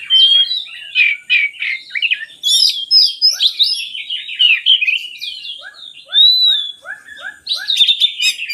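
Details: Magpie-robin song for prompting lazy magpie-robins to sing: energetic varied warbling and squeaky chatter, a clear drawn-out whistle, and a series of short falling notes repeated evenly toward the end.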